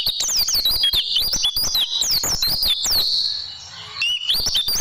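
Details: Oriental white-eye, song played to train caged birds: quick high chattering and looping whistles, fading to near silence for about a second before resuming.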